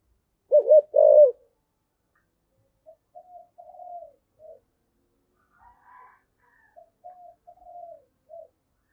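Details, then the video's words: A spotted dove's luring call, 'giọng thổ' style: two loud, throbbing coos open the phrase, followed by a series of soft, low, drawn-out coos repeated at an unhurried pace; quiet background. "cu gáy giọng thổ, cu gay giong tho cuc dinh gay gọi"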